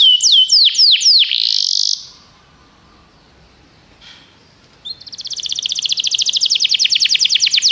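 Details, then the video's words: Canary song aimed at making a pet canary sing: a few loud downslurred whistles, about two seconds of near silence, then a long, fast, strongly pulsing trill. "seu canário vai cantar muito, ouça imediatamente essa música"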